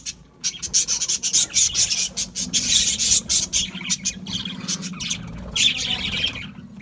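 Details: Budgies eating seed mix, calling in a dense stream of rasping squawks and chirps, several sharp notes per second, with a brief lull before a final burst.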